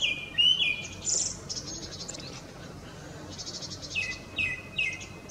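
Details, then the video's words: Male Tickell's thrush singing for a female in Ladakh: brief whistled phrases with sliding notes at the start and again near the end, separated by a quiet stretch of soft background noise. "Tickell’s Thrush Song"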